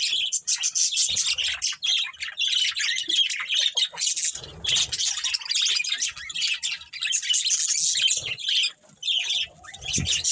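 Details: Colony of pet budgerigars including a breeding pair, nearly continuous shrill chattering, squawks and twittered warbles from many birds at once, with faint low rustles under the chorus.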